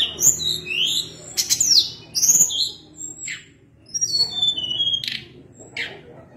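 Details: Sunda blue robin singing vigorously: rising and falling high whistled slurs, buzzy trills and sharp chips in quick succession, with short pauses between phrases.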